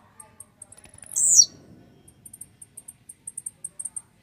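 A blue-black grassquit gives one loud, buzzy, falling song burst, surrounded by rapid, very high, thin ticking chips repeated several times a second.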